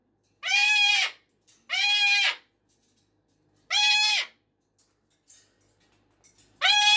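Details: Pet cockatoo screaming at 5:15 in the morning or evening: four loud, harsh, rising-then-falling screams, each about half a second long with rich harmonics, separated by irregular pauses of one to two seconds in a quiet room.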